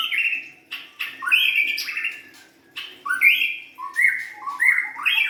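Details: A young forest-caught White-rumped shama sings rich, varied phrases of warbled and slurred whistles with harsh buzzy bursts between them, delivered in rapid bursts with short pauses; faint low hum in the background.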